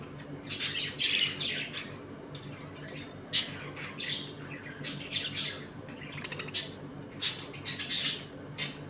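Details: A home colony of budgerigars squabbling and playing: harsh squawks, buzzy chirps and quick chattering runs from several birds, with a steady low hum in the room.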